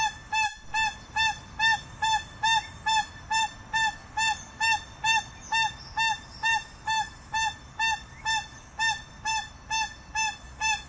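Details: Crested guan singing: a long, steady series of loud, nasal honking notes, roughly two per second, each with a rich ringing tone, over faint high chirps of other birds.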